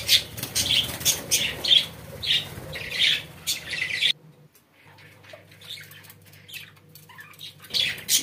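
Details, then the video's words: Pet budgerigars indoors giving rhythmic scratchy squawks about twice a second for four seconds, then near quiet with faint chirps before a final burst. "Muhabbet Kuşlarınız Bu Sese Bayılacak & Ötme Garanti"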